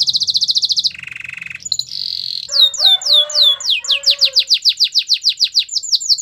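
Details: Canary singing to coax other canaries into song: a high rapid trill, a lower buzzy roll, a brief high note, then a long run of quick falling whistled notes repeated several times per second.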